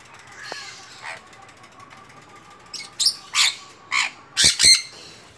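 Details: Young sun conure, five months old and up for sale, gives mostly faint rasping noise at first, then five sharp, harsh screeching squawks in quick succession near the end.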